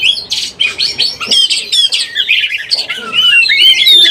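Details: Lure recording of an Oriental magpie-robin in breeding condition: rapid, jumbled whistles mixed with scratchy chirps, then a string of clear whistled phrases, all loud and close.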